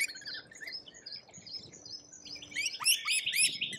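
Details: Lorikeets in Australia chatter in shrill, high chirps, then break into a burst of louder, harsh screeching near the end, several birds calling over one another.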